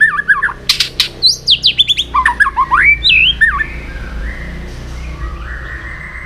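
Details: White-rumped shama in morning voice training: a rapid string of loud, harsh, twisting notes and squeaks, followed by a slurred whistle and soft, level tones.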